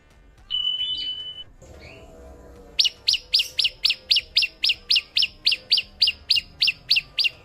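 An olive-backed sunbird gives a fast, even run of sharp, high chips, about four a second, after a brief steady high tone and a pause.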